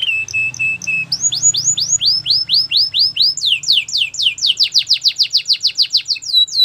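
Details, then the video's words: Canary song used for training: four short clipped notes, then swooping down-slurred whistles that speed up into a rapid, tightly packed series, a low hum underneath at the start. "Most spectacular video training!! Make your canary singing everyday"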